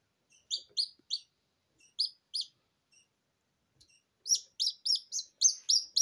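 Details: Newly hatched Silkie Serama chicks, still wobbly and damp from the incubator and without a mother hen, crying: thin high peeps in short clusters of two or three, then a faster run of loud, insistent peeps toward the end.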